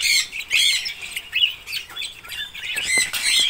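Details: Red-rumped parrots call in a noisy flock, producing grating squawks and thin, high whistled notes that overlap almost continuously.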